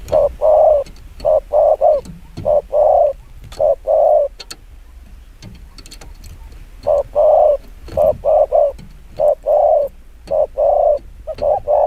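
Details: Spotted dove delivering very fast 'chiêu gù kích bổi' coos in dense clusters of short, even hoots, with a pause mid-clip before the bursts resume, and faint clicks.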